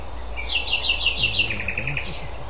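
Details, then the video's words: Common nightingale singing at Algutsrum, Öland, on 14 June 2010: a run of bright, evenly repeated notes, then a lower, quicker series of chirps, over a steady low rumble. "Sydnäktergal Luscinia megarhynchos"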